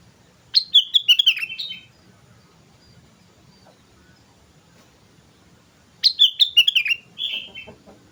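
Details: Sooty-headed bulbul, a lure recording of a lively singing bird: two bursts of bright, bubbly whistled notes sliding downward, about a second each, separated by roughly four seconds of quiet.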